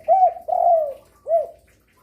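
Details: Spotted dove, a gacor bird that sings diligently day, afternoon and night, kept as a lure to draw other doves into calling: three low, smooth coos, the middle one longest and slightly falling, in a quiet room.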